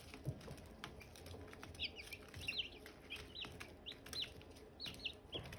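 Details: Silkie chicks with hatching eggs give distinct, spaced high peeps, each a short downward slide, about one or two per second, with a faint low rumble and occasional thumps.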